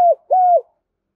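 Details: Two clear, level hooting notes with a downturned tail from a tame decoy spotted dove in Đồng Nai, Vietnam, calling loudly in urgent 'gáy thúc' fashion meant to draw in wild doves.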